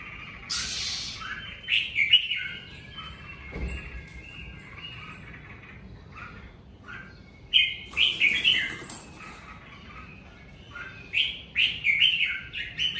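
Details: Red-whiskered bulbul singing in the covid season: lively whistled and warbled phrases in three bursts separated by quieter gaps, with occasional harsh chatter and a soft low rumble.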